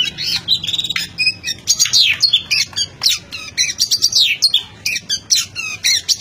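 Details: Oriental magpie-robin singing nonstop for a minute: a dense, varied torrent of loud whistles, harsh squawks and rapid chattering notes with almost no pauses, over a faint low hum.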